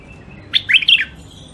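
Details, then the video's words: Caged wild-caught songbird from the Mandali crossing, kept for sale in Baghdad, gives one short, clear, rapid warbling phrase of three or four slurred notes over a faint low hum. "تغريد مخاليف وحشيه كاع منفذ مندلي طيور نظيفه وصوت صافي"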